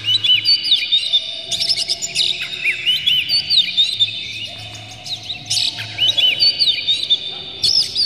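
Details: Excited oriental magpie-robin, tail spread, pouring out varied song: looping whistled slurs mixed with harsh chatter in phrases broken by brief gaps, roughly two notes a second; a low hum runs in the background.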